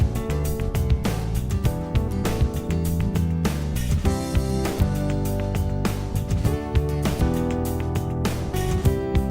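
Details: Strummed guitar music with steady plucked chords and low bass notes fills the whole stretch; no animal voices are heard.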